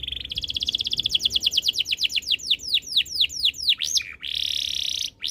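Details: Canary singing a steady train of pulsed notes that slow into loud descending whistled swoops, followed by a sustained buzzy trill.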